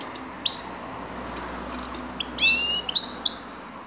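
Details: Grey-crowned goldfinch singing a short burst of bright, high twittering notes with a few sliding whistles after about two seconds of quiet background hiss.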